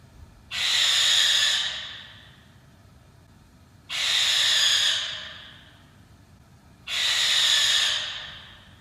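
Three long, harsh, hissing screams from a Barn Owl, each about one and a half seconds, roughly every three seconds, with faint low background rumble.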